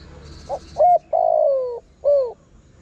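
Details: Spotted dove coo used for attracting wild birds: one phrase of a soft pip, a short clipped coo, a long descending coo and a last brief falling coo. Faint high twitters sound at the start.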